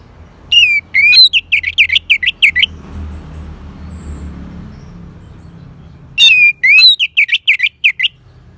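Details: Orange-headed thrush singing two separate phrases of quick, bright whistled notes, each note a sharp up-and-down slur repeated about twice a second, with a few seconds of soft hum between the bursts.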